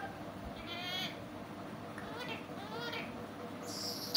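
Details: Talking parrot producing rapid, wavering, voice-like syllables in a sweet tone, several short phrases ending with a high hissy burst and a click, steady hum behind.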